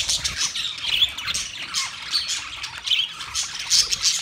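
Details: Mating budgerigars chirping: harsh squawks and quick twittering notes in a continuous, overlapping chorus from several birds.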